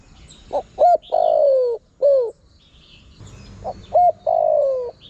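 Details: Calling spotted dove, a lure sound for drawing in wild birds: a cooing phrase of two quick hoots, a drawn-out descending coo and a brief falling note, then the start of the next phrase; soft twittering from other birds in the background.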